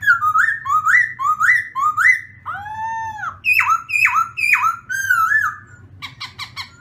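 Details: Black-throated laughingthrush in morning song training, giving a string of rising whistled notes, a drawn-out arched ringing call, then sharp downslurred whistles and a few clipped high notes at the end, with a low hum behind.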